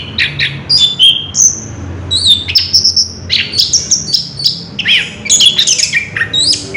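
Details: Rolling ngerol song of the orange-headed thrush (anis kembang), a near-continuous jumble of high sweet whistles, quick trills and slurred squeaky notes changing every fraction of a second.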